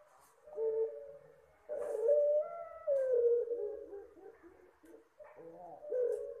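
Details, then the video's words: Soft Puter Pelung dove call, used for luring birds: low, rounded coos that swell and slide gently downward, several in close succession with brief gaps. "suara burung Puter Pelung lembut,, ampuh buat pancingan...."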